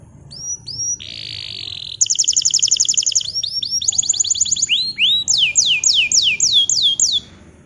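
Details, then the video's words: Song of a bottle-green canary serving as a model for young canaries learning to sing: rising whistles, a buzzy tour, a fast metallic trill, then a run of swept, repeated whistled notes before fading. "Kenari Hijau Botol AF Gacor COCOK Untuk Pancingan Kenari Paud Belajar Bunyi !! Canary Singing"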